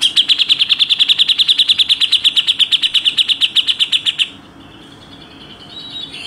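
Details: Grey-cheeked bulbul in a fast 'tembakan rapat' training passage: over four seconds of tightly packed, piercing high chirps delivered in a steady machine-gun rhythm, followed by quiet background.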